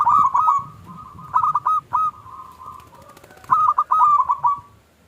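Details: Small "klung" song of a local zebra dove, played to prompt silent doves to answer: quick clusters of ringing cooing notes separated by a sustained soft tone and low background hum.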